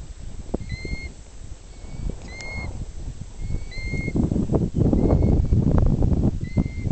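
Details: On the high moors of Buckden Pike, Yorkshire, a bird the recordist thinks is a plover gives clear, pure whistles. Each is a brief level note repeated every second or so, over heavy wind rumble and buffeting.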